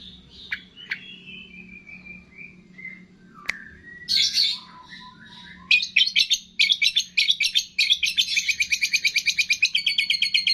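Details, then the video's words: Long-tailed shrike masteran with imitations of cililin, fighting sparrow, lovebird, tengkek and kapas tembak; opens with soft scattered whistles and a lone click, then louder buzzy bursts build into a steady, rapid train of sharp repeated chips. "MASTERAN CENDET ISIAN CILILIN, GREJA TARUNG, LOVE BIRD, TENGKEK, KAPAS TEMBAK"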